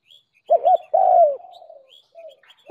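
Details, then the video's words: Spotted dove lure recording for attracting doves: a single phrase of a doubled short note and a long coo trailing downward, faint high chirps of small birds around it. "Tiếng cu mồi đỉnh nhất 2019"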